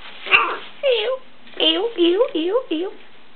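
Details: Pet macaw indoors with its owner, producing speech-like talking: a run of nasal, wavering syllables with bending pitch, about six bursts in three seconds, in a small quiet room.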